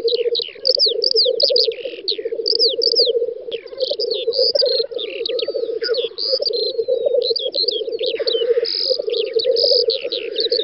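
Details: Several black grouse lekking on a spring field in Western Russia's Volga federal district, 9–10 May 2019: a steady low bubbling chorus runs throughout, beneath many high, quick chirps and trills of other birds.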